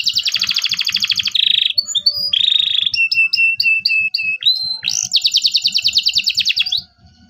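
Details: Local canary in a lively 'cuit cuit' song used to prompt juvenile canaries to learn singing: loud rapid buzzy trills, a rolled note, a series of short bright chips and upslurs, then another long fast trill, with soft low ticking behind.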